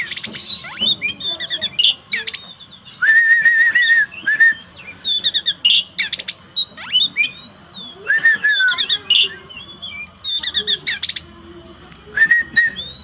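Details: Kept Oriental magpie-robin song used to train a bird that has gone quiet after its moult: clear level whistles alternate with short harsh buzzy bursts and twittering, in phrases repeated throughout.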